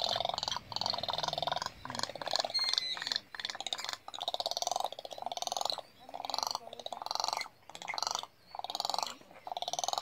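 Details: Several Swallow-tailed gulls on Isla Genovesa, Galápagos, Ecuador, on 20 April 2019 give harsh, rattling, nasal calls in bursts of about a second, repeated steadily with brief pauses and overlapping.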